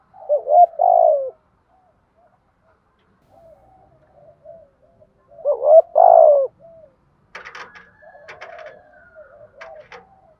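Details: Spotted dove giving challenge coos to provoke wild doves: two loud, rolling coo phrases a few seconds apart, soft coos between them, then crackling rustle-like clicks alongside quiet cooing at the end.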